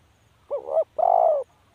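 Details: One cooing phrase from a spotted dove: a quick wavering low note followed by a longer, steady, mellow coo. The surroundings are quiet.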